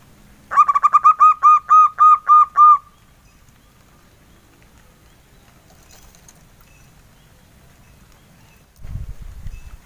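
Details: Local male zebra dove giving a soft engkel-style phrase: about nine evenly spaced, rounded cooing notes over two seconds. A long quiet stretch follows, and low thumping is heard near the end.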